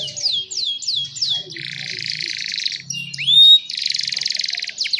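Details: Young canaries singing to tutor other canaries: falling slurred whistles, then a dense buzzy trill, a rising sweep, and another loud rolling trill, with faint low hum beneath.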